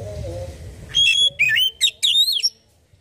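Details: Oriental magpie-robin singing, played to prompt another bird to answer: after a noisy start, a short phrase of loud whistled and warbled notes, ending in a rising slur.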